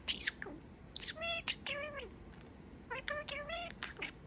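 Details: A baby male budgerigar kept as a pet talks in mimicked phrases, giving clear, nasal, speech-like syllables with strong harmonics, grouped into two phrases split by a short pause.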